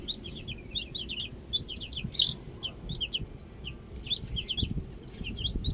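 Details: Baby chicks enjoying the outdoors, a flock giving high, short, downward-slurred peeps in quick irregular bursts over a steady low background hum.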